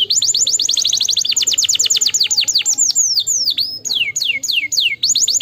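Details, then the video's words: Canary singing to stimulate lazy canaries: a rapid trill of descending high notes, slowing into spaced falling whistles, a forked slurred note, then short repeated sweeps again. "stimuleer heel snel het geluid van luie luie kanaries"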